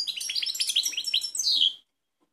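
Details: Goldfinch song from Kumanovo, Macedonia, March 16, 2018, Balkan bird: a continuous chattering twitter of quick high notes ending in a drawn-out buzzy, slurred note, quiet surroundings.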